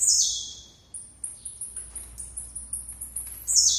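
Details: Blue-black grassquit song: sharp, buzzy downslurred notes open and close the phrase, with a fast, even, high ticking between them and a steady high whine in the background.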